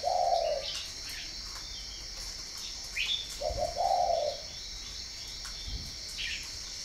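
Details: Spotted dove in northern Vietnam, from a breeding farm in Ba Vì: a drawn coo, then after a pause two clipped notes and a longer hoarse coo, amid faint chirps and a steady high hum.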